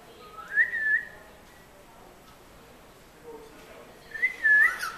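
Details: A parrot living at the Maritime Museum of the Atlantic in Halifax, Nova Scotia, recorded 21 February 2012, gives two clear whistles about three and a half seconds apart when asked to whistle, each sliding up then holding steady, over faint indoor room noise.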